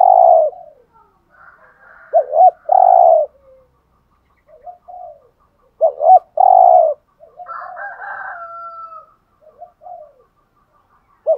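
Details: Spotted dove cooing in the 'hạp bổi' voice style, used to rouse caged males: loud, low hollow coo phrases, each a short hooked note then a long steady coo, repeated twice, with softer trailing notes and faint chirps between.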